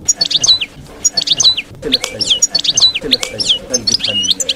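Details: European goldfinch in wild 'campero' field-style song, meant for teaching young birds to sing during moult: a continuous run of high, liquid twittering and tinkling phrases with quick slurred notes repeated in short bursts, and faint low background noise.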